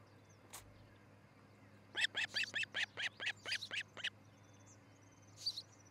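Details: Nesting osprey couple in Charlo, Montana, captured by a nest cam around 6 a.m. on 13 July 2018; a brief soft note, then eleven piercing, evenly spaced whistled calls tumbling quickly, ending with a faint high chirp.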